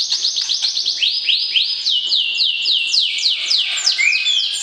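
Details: White-rumped shama paired for breeding in captivity, singing to arouse the opposite sex: a loud, rapid, rhythmic series of high, sweeping downslurred notes that dips slightly in pitch and then rises again.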